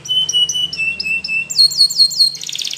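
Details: Spanish Timbrado canary training song: a string of steady whistled notes stepping slightly lower, then a run of quick high descending chirps ending in a dense rattling trill.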